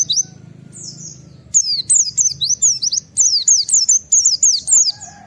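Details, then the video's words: Wild white-eye 'nembak wit wit' call used to get other white-eyes calling: an opening whistle, then two long rapid series of high, zigzagging whistled notes. "Suara Burung Pleci ngalas Nembak Wit Wit memancing Semua Pleci ikut Nembak Buka Paruh"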